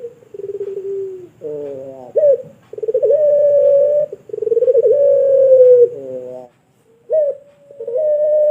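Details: Long tutor coo of a pelung Barbary dove from a Sragen, Indonesia bird farm: low, quavering pulsed notes, then sustained smooth hooting coos around two seconds long, with a short pause near the end.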